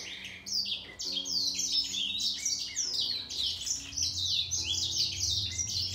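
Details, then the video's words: Grey singer finch in a singing contest against a green singer, the two caged finches trading rapid bright twittering phrases of high sliding whistles and trills without pause, with a faint low hum beneath. "Gery singer finch VS Green singer singing fight 灰燕和金青斗唱"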